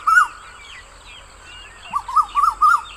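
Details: Asian koel calling: one short arched note, a pause, then four quick ringing notes rising and falling in quick succession, with a faint steady high whine in the background.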